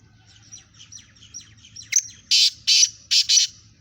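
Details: Contest between black francolins. Soft twittering chirps build up, then a harsh rasping call of four loud grating notes in two pairs closes the clip. A low hum runs underneath throughout.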